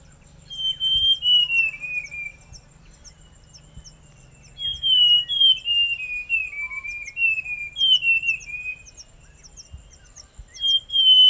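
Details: Forest scrub robin song: three bursts of sweet whistled notes, each phrase stepping downward in pitch, separated by short pauses in a quiet setting.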